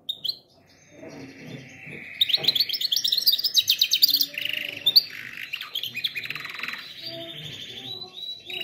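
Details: Canary bird singing for canary training: a sustained rolling trill gives way to loud rapid chirping runs and descending whistled sweeps, with some low background rumble.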